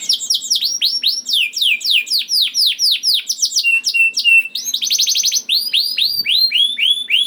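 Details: Juvenile canary's lure song for canaries slow to sing: repeated bright, falling whistled notes, a quick rattling trill in the middle, then more clear down-slurred phrases.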